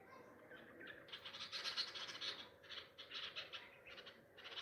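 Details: Nightingale parents crying after losing a chick to a cat, at a nest on a tree among home pomegranate plants on the chicks' first day out; harsh rasping chatter notes in quick bursts, pausing briefly between runs.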